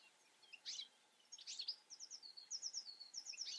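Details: European goldfinch in the Eifel region, singing in a quiet, faint phrase: scattered high twittery notes, then a run of quick repeated buzzy-tinkling elements, with background hiss.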